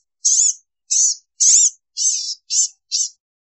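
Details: Six thin, nasal, buzzy mewing calls from a blue-gray gnatcatcher, roughly one every half second, each slightly wavering and very high, in otherwise silent surroundings.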